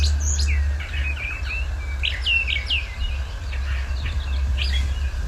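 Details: A distant Brown Thrasher sings from a treetop at Lindsey-Parsons Biodiversity Preserve, Finger Lakes, on 17 May: loud, quick, varied, slurred phrases, many doubled, over a steady low rumble.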